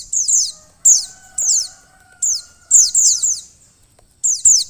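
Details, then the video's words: Calls of a female Mountain white-eye, meant to get the male singing sooner: high, sharp, descending chip notes in bunches about every half second to second, with a faint background hum. "pleci betina untuk mempercepat buka paruh pleci jantan"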